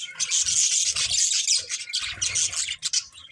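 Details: Loud, busy budgerigar chatter: continuous harsh high warbling and squeaky notes from several birds at once, with a short pause midway and low rustling below.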